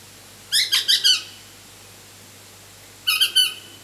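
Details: Young pale-headed rosella begging as it is fed, photographed in the wild: a fast run of four rasping squeaky notes, a gap of about two seconds, then three more, with a low steady hum beneath.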